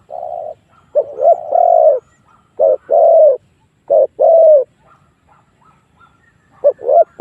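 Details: Decoy spotted dove calling to draw wild doves into a fight, giving deep repeated coo-croo pairs, the second note longer and gently falling, with short silences between.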